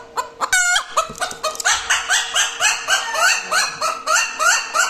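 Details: Chicken cackling after laying an egg, a brief squawk followed by a dense stream of harsh overlapping clucks and rising notes, somewhat crowded and loud.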